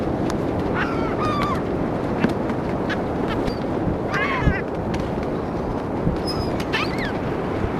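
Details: Gulls gather to be fed on a Florida beach at St. Augustine in 2016, their scattered, nasal, downslurred squawks rising above loud, constant surf noise, with several birds calling in quick succession.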